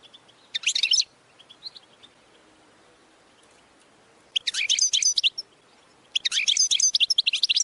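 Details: Short bursts of high, tinkling, chattering goldfinch training song arrive in three separate spurts, with a faint murmur of background noise in the quiet stretches.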